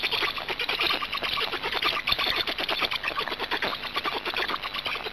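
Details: Feeding at a black stork nest in Hungary, evening of 26 May 2019: continuous harsh, rhythmic rasping and chattering pulses at a fast steady pace, broad and noisy throughout.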